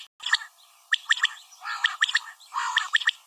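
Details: Female common quail sounds: clear three-note groups of bright, sharp notes, repeated roughly once a second, with a soft rougher murmur underneath.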